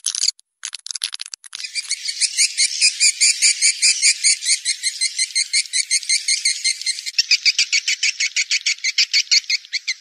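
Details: Blended SP 90 racikan lure call to draw in swiftlets: after a short scratchy start, long trains of rapid, evenly pulsed buzzy chirps continue steadily, switching to a slightly different pulse pattern near the end.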